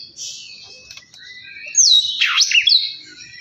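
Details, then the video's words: Oriental magpie-robin singing as bait to provoke another bird into song: a soft, scratchy warble that swells into loud, sweeping whistled notes. "Kacer males bunyi jadi gacor 🔥 pancingan Kacer biar cepat gacor dan emosi"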